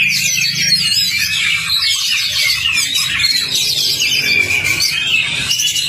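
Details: Oriental magpie-robin (kacer) song used as a lure to get a silent kacer singing and chattering; dense, rapid run of high overlapping chatters, trills and whistled notes without pause, over a faint low steady hum.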